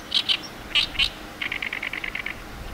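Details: Oriental reed warbler singing territorially in a reedbed at a lotus field in Iwakuni, Japan, 10 May 2018, about a month after arrival: harsh, grating paired notes; then a Ruddy-breasted crake answers with a quick, even run of about ten knocking notes.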